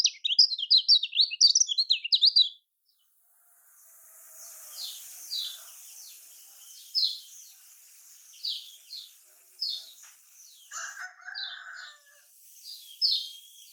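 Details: Kecial kuning of Lombok, the lemon-bellied white-eye, opening with a quick burst of sharp twitters, then softer, well-spaced single high chirps over faint hiss.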